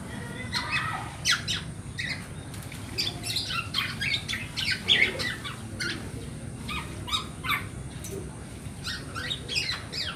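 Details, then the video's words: Black-naped oriole chick calling to draw in its parent birds; busy stretch of short chirps and squawky notes repeated irregularly throughout, with sharp clicking sounds mixed in over a faint low background hum. "Suara asli anak burung kepodang"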